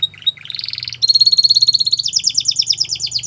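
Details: Canary training song for young canaries, Russian and Belgian types named: high whistled note, then a rising run into a fast, even buzzy trill, and a quicker trill of repeated downslurred notes to close.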